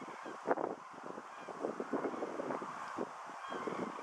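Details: Migrating common cranes in a flock over Lattomeri, Pori, Finland, on 9 September 2012, giving overlapping hoarse, honking calls in irregular bursts, with one louder call near the start and a steady background hiss.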